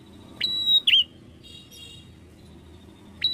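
A bar-winged prinia gives high, clear whistled notes, each opening with a sharp upslur, in quick pairs, then repeats after a short pause. Faint background hiss.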